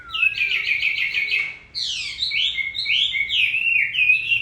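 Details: Hwamei song in rainy weather as its moult nears completion: a fast trilled series of repeated whistles, then sweeping rich phrases rising and falling, over rain noise.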